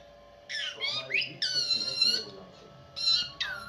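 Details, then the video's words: Pet parrot giving harsh squawks and rising whistled calls in short bursts, with quiet gaps between, over a steady low electrical hum indoors. "my parrot 🦜 sound"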